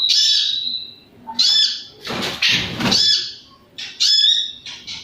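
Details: White-rumped shama, called konslet, singing loud clear whistled phrases broken by harsh rasping bursts, with gaps between phrases of about one second.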